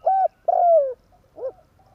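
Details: Spotted dove 'tarik akar' call used as a lure for catching birds: a level coo, a longer coo dropping in pitch, then a short softer arched coo.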